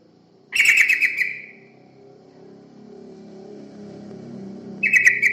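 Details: Yellow-vented bulbul song played as a lure for other birds: two short, bubbly, chattering bursts about four seconds apart, with a low hum between them.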